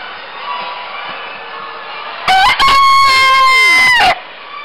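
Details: Crowing cock of the Suffolk Chequer breed, shown at Britain's National Poultry Show in Telford, November 2014: a single strident crow, brief stuttered start then a long sustained tone that drops at the end, over steady indoor background noise.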